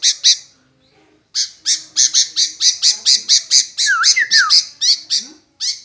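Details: Sooty-headed bulbul that will not stay quiet and keeps answering: a rapid series of about sixteen harsh, buzzy bursts, several per second after a short pause, with a few brief, sliding whistled notes mixed in near the end.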